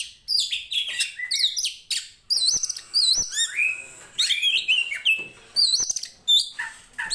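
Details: Poci-variety Oriental magpie-robin from Tretes, a fighting bird singing steadily to rouse others of its kind: unbroken stream of bright, varied whistles, trills and wavering slurs, quick and high-pitched throughout.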